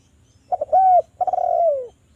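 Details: Javan spotted dove lure: quick double stutter, a held arched coo, then a long trilled coo gliding downward, with the start of another coo at the end.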